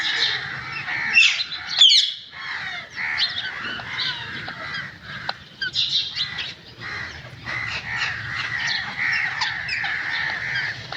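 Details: Pet green parrot talking in nasal, speech-like chatter, with a piercing squawk early on, then a long run of murmured babble and occasional clicks.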